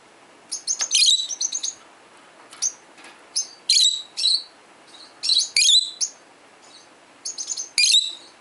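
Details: A 12-year-old male peach-faced lovebird, kept as a pet and answering recorded lovebirds, calls repeatedly for over eight seconds. Loud, shrill chirps come in irregular clusters every second or so, mixed with short chattering notes.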